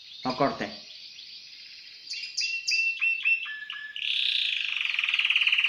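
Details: Timbrado canary in a cage, caught up the night before, sings after a short human voice: descending whistled notes in quick series, then a loud steady pulsed trill.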